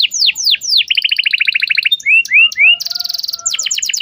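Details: Canary lure for a young bird learning its song: a few slow falling whistles, a quick trill of repeated notes, rising slurs, a high buzzy rattle, then fast falling notes again.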